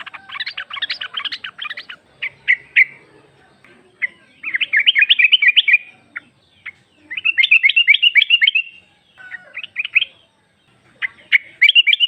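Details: Calling female sooty-headed bulbul, meant as a lure for males: bursts of rapid, rattling chirps alternating with short single notes and brief quiet gaps, clean with no other noise.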